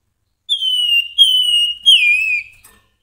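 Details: Grey-headed babbler, a lively singing bird, giving three loud, pure whistled phrases, each slightly falling or wavering, with short gaps between them; no other sounds heard.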